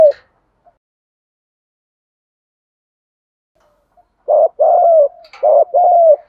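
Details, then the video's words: Spotted dove coo used to excite and lure wild doves and to train decoys. About four seconds of near silence, then two quick pairs of low, rounded coos, each a short note followed by a longer falling one. "tiếng chim cu gáy thúc gù, chim cu gáy kích bổi và luyện mồi nhanh gáy nhất hiện nay"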